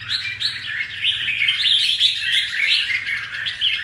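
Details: Red-whiskered bulbul, caged after capture from the wild and just through its moult, gives a rapid run of sharp chirping notes, roughly three per second, over a faint low hum.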